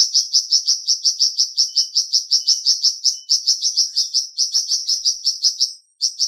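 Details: Flamboyan bird chirping rapidly and steadily, high sharp notes about three per second, with a brief break near the end before resuming.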